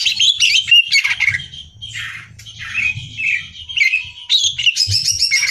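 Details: Hyperactive caged greater green leafbird singing for competition training: harsh squawking chatter mixed with slurred whistles, a quieter middle stretch, then a loud burst of rapid high buzzy notes.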